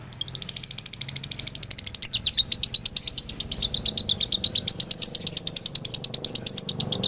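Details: Male lovebird from Galendo, Ciamis, delivering the long 'dobelan' trill used to train other lovebirds: a quick shrill chatter builds after a soft start into an unbroken stream of sharp high chirps.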